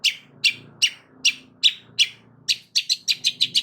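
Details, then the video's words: Long-tailed shrike song to provoke other shrikes: harsh scratchy notes about every 0.4 seconds, then a quicker run of similar notes, with a steady low hum behind. "Cendet DIAM Pasti Tak Tahan Dan MERESPON Gacor Bongkar Isian Dengan Suara Kicauan Cendet KERASini"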